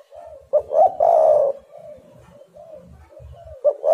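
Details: Spotted dove cooing used to lure other birds into calling: one loud phrase of short rising notes and a long mellow coo, followed by soft repeated low coos and the start of another loud phrase at the end.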